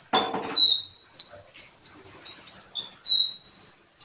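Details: Sunbird (kolibri) singing busily: a flat whistle followed by a quick run of about six shrill descending chirps, then a paired squeak, another whistle and more high notes.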